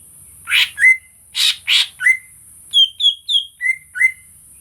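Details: Greater green leafbird song recorded to stir other birds: a few harsh rasping notes followed by a rhythmic string of clear downslurred whistles, over a steady high hiss.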